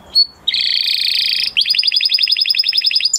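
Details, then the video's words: Male canary singing: a sustained buzzy trill, then a rapid pulsing rolled trill of repeated high notes. "Beautiful canary song اواز زيباي قناري نر مست"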